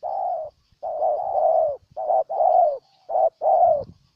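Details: Ninh Thuan spotted dove calling in a loud, low cooing sequence of short and long notes repeated in pairs, with brief gaps and slight rustling between phrases.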